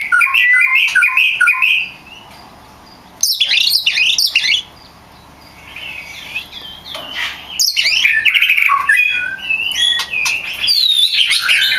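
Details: Oriental magpie-robin, a champion in full song, used to train other magpie-robins: rapid bursts of varied whistles and chattering trills, separated by short pauses, with high sweeping notes and busy twittering.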